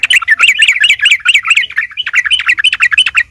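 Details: Sooty-headed bulbul fighting song, played to provoke rival birds into calling back; loud, quick, bubbly chattering phrases repeated throughout with a brief dip in the middle.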